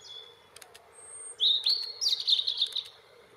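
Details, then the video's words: Male European robin in full song: after a few soft high notes, a loud rich phrase of sustained piping whistles flowing into rapid, tumbling, high-pitched warbles and trills, over a low constant hum. "European Robin singing his heart out"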